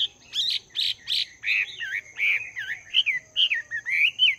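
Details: Wild-caught Chinese hwamei kept two months in a cage, singing in morning voice training: three loud buzzy notes, then a rolling sequence of clear, looping whistles rising and falling, about a dozen phrases in quick succession.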